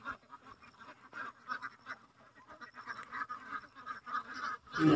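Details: Quieter, scattered duck quacks come as short nasal bursts, several birds calling over one another, and a louder call at the end.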